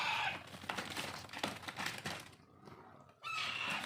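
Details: Alexandrine parakeet chicks, called pahadi or raw parrot, during daily hand-feeding in a small room: raspy nasal squawks open and close the passage, separated by dense rustling and scraping.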